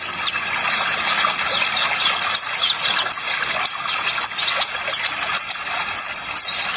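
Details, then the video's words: Spotted ninja sunbird on an Indonesian training recording: sparse, very high, short chirps and squeaky notes repeated at irregular intervals, set against a constant hiss of running water and scattered clicks. "Terapi Kolibri Ninja Trotol Paling Dicari Ada Efek Suara Air Nya"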